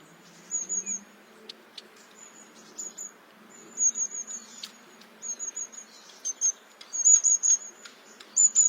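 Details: Long-tailed tit calling: very high, thin, short notes and brief rolling trills in quick bursts with irregular pauses, growing busier toward the end, over a faint low hum.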